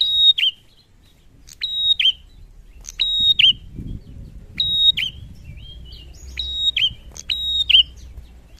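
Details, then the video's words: Bar-winged prinia male in full song, repeating one short, high, strained phrase with an abrupt falling end roughly every one and a half seconds, with a soft rustling murmur behind. "Prenjak Gacor"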